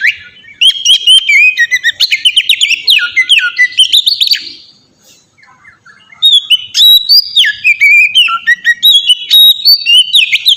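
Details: Oriental magpie-robin in full ngeplong song, a lure for untrained magpie-robins; two long runs of rich varied whistling with sweeping slurs and clicks, split by a second of silence.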